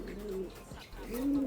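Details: Racing pigeon cooing indoors: two low, smooth, humming coos, the first slightly falling and the second rising then levelling, with quiet room noise between them.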